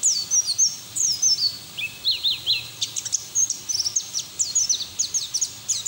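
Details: Energetic white-eye song used to stimulate other white-eyes to sing, with crisp high ticking notes and quick downslurs strung into rhythmic runs. Some lower chips fall midway, over a steady faint hiss.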